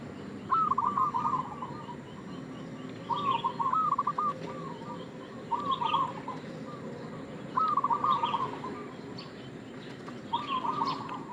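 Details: Lure call of a local zebra dove (perkutut lokal), a bird in full voice whose song serves as bait to attract other doves. Rolling, bubbly coo phrases repeat roughly every two to three seconds, with quiet background hiss between them.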